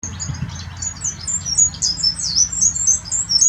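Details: Hybrid European serin x canary, a mule, singing a rapid, high, jingling twitter of thin slurred notes and trills without pause, over a low background rumble.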